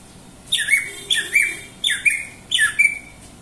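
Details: Greater green leafbird gives four doubled phrases, each a harsh squeaky note sliding into a short whistle, spaced roughly every half second to second.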